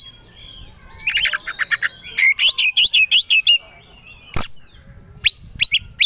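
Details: White-rumped shama provoked to sing with fighting aggression: a chattering cluster, then a fast run of about ten loud repeated whistled notes, a sharp burst and trailing high chirps.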